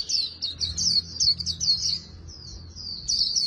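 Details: Oriental white-eye, trained for fast singing-contest song, pours out a rapid, high, thin twittering song in quick chattering bursts, with a faint low hum beneath.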